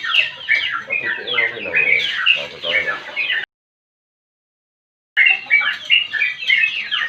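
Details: Sooty-headed bulbul's long 'ngropel' song, used to coax other birds into singing: fast, warbling whistled notes for three seconds, then an abrupt silence before the lively chatter resumes.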